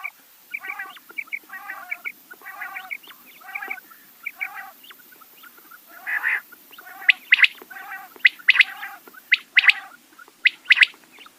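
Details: Rain quail, locally bedana or batair, producing repeated buzzy harmonic notes about once a second, then a lively run of sharp, cracking doubled notes.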